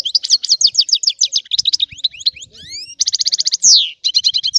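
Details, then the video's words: Goldfinch song of quick chirping notes, a string of rising thin whistles, a rapid trill, a loud downward buzzy slur, then more tinkling twitter. "تغريد الحسون"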